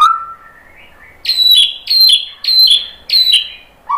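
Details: White-rumped shama singing to provoke rival shamas into song: a low whistle, then four bright, high, ringing phrases about half a second apart, each a sharp note sliding down, ending with a lower whistle.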